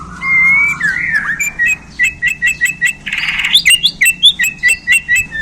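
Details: Borneo white-rumped shama, right after being handled, gives 'isian' song: a long whistle and buzzy slur, a harsh rasp, then a steady series of short clicking notes about three per second.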